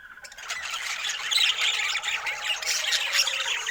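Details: Budgerigars chirping with joy over fresh food in natural Scandinavian light: a fast stream of grating warbles and chirps, about four notes per second, swelling after a quiet start.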